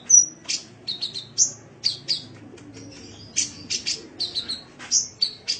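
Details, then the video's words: Sunbird song used as a master recording to train cage birds: sharp high whistled notes and short buzzy chips in quick irregular bursts, with clean quiet background. "Masteran Suara Burung Kolibri"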